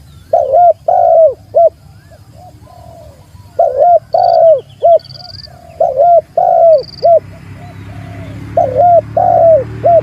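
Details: Spotted dove calling to a rival. Deep, mellow, two-part coo phrases recur in steady bursts, with quieter trailing coos between them. Short high whistles from other birds sound in the background, and a low rumble grows toward the end.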